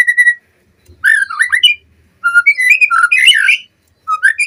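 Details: A White-rumped shama lure song for captive birds, made of rich, fluty, warbled whistles that swoop up and down in phrases separated by short pauses.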